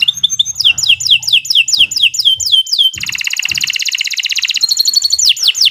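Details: Canary song for training young birds: a run of two-part falling whistles about every third of a second, then a dense rapid buzzing trill and final swoops, with soft low thumps beneath.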